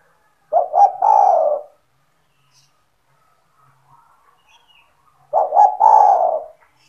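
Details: Kept spotted dove (tekukur) calling to attract other doves: two low cooing phrases, each two quick notes and a long falling coo, about five seconds apart, with silence between.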